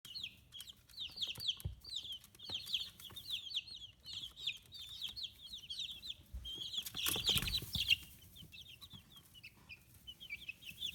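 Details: Fifteen-day-old chicks, growing feathers, raised free-range on a small farm in Kitanohiroshima, Hiroshima, Japan; many overlapping high peeping chirps, short descending notes repeated rapidly, with a brief burst of broadband rustling or bumping midway.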